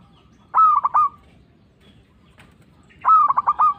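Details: Local zebra dove, a vigorous caller used as a lure for trapping doves: two phrases of cooing notes around mid pitch, each opening with a drawn note that breaks into three or four quick stuttering coos, separated by about two seconds of quiet.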